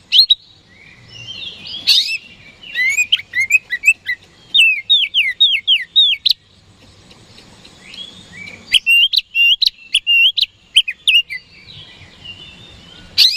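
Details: Lure song of an oriental magpie-robin (kacer), meant to make rival birds respond quickly. It has varied bursts of clear, high whistled phrases, sweeping slurred notes and sharp chips, separated by brief quiet pauses.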